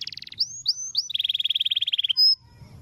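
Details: Canary song meant for training other birds, long roll style: a fast high trill, three rising whistled slurs, a long even rolling trill of rapid pulses, then a short pure high whistle.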